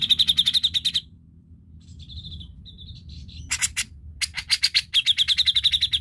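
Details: Grey-cheeked bulbul lure song meant to prompt lazy birds to sing. Fast runs of sharp, repeated chattery notes open and close the recording, with a softer, thin whistled phrase in the middle.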